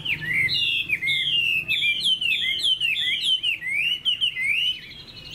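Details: Caged Chinese hwamei sings a rapid, continuous stream of bright whistled notes, each bending up then dropping, packed closely together and very loud, with almost nothing else audible.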